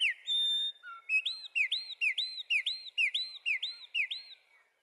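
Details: Wren singing: a long whistled note opens, then a short lower note, then a fast run of about eight loud, clear, hooked notes repeated evenly, fading at the end in quiet surroundings.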